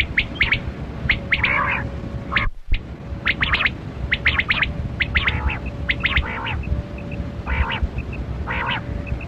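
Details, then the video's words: Kali kirak quail, recorded as a caller for quail hunting: short, sharp clipped notes in quick clusters mixed with a few harsher squawks, over a steady low background rumble. "Sound Of Kali Kirak Quail Batera"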